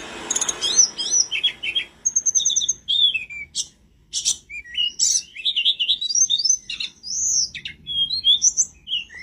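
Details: Mountain flowerpecker in lively song for training cage birds, a varied medley of high whistles, quick rising and falling slurs and short trills, broken by a brief silence near the middle.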